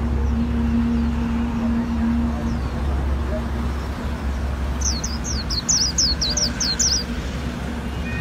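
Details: Vietnamese Japanese white-eye giving líu-style song: a rapid burst of roughly ten sharp, high descending whistles near the end, after several seconds of low rumbling background noise and faint voices.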